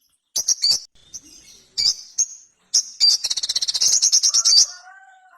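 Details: Ruby-cheeked sunbird, known locally as sogon, a small nectar-feeding bird, giving high thin chirps and then a fast buzzy trill of rapid repeated notes; a few low tonal whistles follow near the end.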